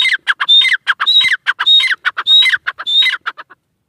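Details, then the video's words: Pair of francolins (irani teetar) calling: harsh, grating phrases with a bright whistled note near the top, repeated about five times in quick rhythmic bursts, with no other clear sounds. "Teetar pair ki awaz | irani teetar ki awaz"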